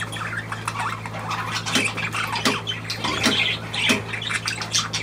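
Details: Budgerigar chatter: dense scratchy squawks and clicks fired in quick irregular bursts throughout, over a steady low electrical hum.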